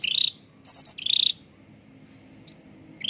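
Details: Cucak ranting (bulbul) singing clearly, played to coax silent caged birds into song: a buzzy trill, then high fluttering notes and another trill, a pause, and a brief high chip.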